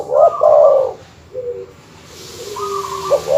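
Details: Dove master-call recording used to provoke rival birds: loud rolling mid-pitched coo phrase at the start, then softer steady coos and a faint tone at the end.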